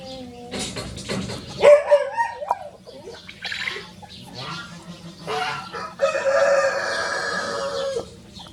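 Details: Two Rosecomb bantam roosters, free-ranging show birds, crowing as a duet; a strained, rising crow near the second mark, scattered clucks and rustling, then a long, held, harmonic crow lasting about two seconds near the end.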